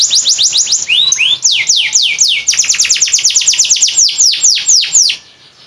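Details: Canary from Boyolali kept as a master bird for training others, prized for long songs lasting over 40 seconds; rapid loud series of high descending whistled notes, a few rising swoops near the middle, fading out at the end.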